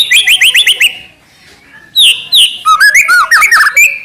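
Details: Young spotted-plumage (trotol) white-rumped shama singing vigorously: a fast run of five or six high whistled slurs, a pause, then varied rich whistles, upslurs and chattering notes at shifting pitch.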